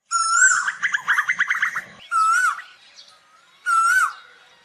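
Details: Asian koel calling to its flock: a strong whistled arching note runs into a rapid stuttering trill. Two more swelling whistles with a high overtone sweep follow over a faint background hum.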